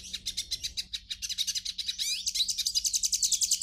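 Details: Brazilian hooded siskin giving rapid pulsed twitters, about three or four notes a second, with a burst of sliding whistled notes in the middle and a faint low hum behind.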